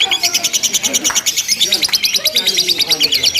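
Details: Lovebird in a simulated singing contest delivering ngekek, a long nonstop chatter: rapid, evenly pulsed high squeaky notes, roughly three per second, running unbroken, with faint low murmur beneath.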